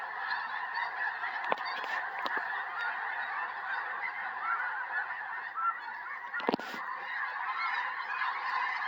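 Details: Hundreds of wild snow geese circling and landing in a field beside a house in Tennessee on January 21, 2026, days before a major snowstorm; a dense, unbroken chorus of overlapping honks, with a few sharp clicks.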